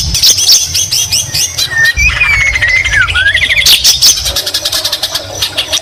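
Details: White-rumped shama singing greater green leafbird imitations: fast chattering notes give way to long sliding whistles that fall and rise, then more quick chips, over a low rumble.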